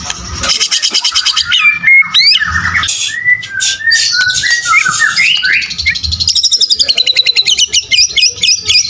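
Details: Caged White-rumped shama delivering full fighter song: rapid rattling trills, slurred rising and falling whistles, then a fast run of repeated chattering notes, loud and unbroken.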